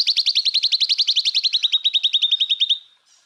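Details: Cucak ijo, the greater green leafbird, in a masteran full-burst song for training other birds: a fast, high, metallic trill of about thirty sharp repeated notes, slightly falling in pitch, fading after nearly three seconds.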